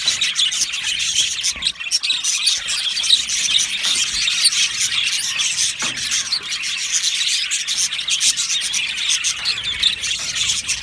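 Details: Australian budgerigars in an aviary colony, breeding and mating sounds: dense, continuous high chirping and squeaky warbling from many birds at once, with scratchy twitters layered throughout and no pauses.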